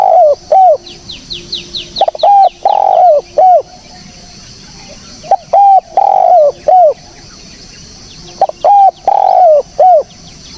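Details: Spotted dove, recorded clearly for use as a bird-trapping lure. Three phrases of rhythmic coos, short notes framing a long slurred one, while another bird gives a rapid series of thin high chirps early on.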